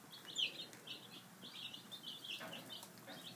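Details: Several five-day-old chicks having breakfast give thin, high-pitched peeps, some rising slightly, clustered in quick bursts with a few feeding knocks.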